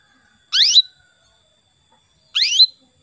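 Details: Hen canary calling a male canary: two loud, rising, slurred chirps about two seconds apart over near silence.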